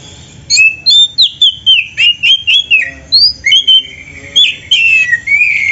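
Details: Oriental magpie-robin in full, energetic song with rich fill phrases, recorded as a training master for other birds: rapid series of bright whistled and slurred notes, about three each second, ending in a long sweet warble.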